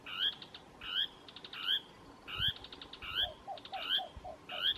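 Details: Dusky tapaculo giving its typical song on Isla de Yáquil, Santa Cruz, O'Higgins Region, Chile: a short phrase about every three-quarters of a second, a high upslurred note and a quick burst of clipped notes, with softer lower notes and background rumble.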